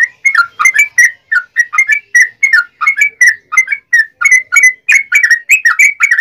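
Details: Yellow-vented bulbul singing a lure song to stir other bulbuls to answer. Continuous chattering run of short liquid, warbled notes, rapid and uneven, with no other sounds.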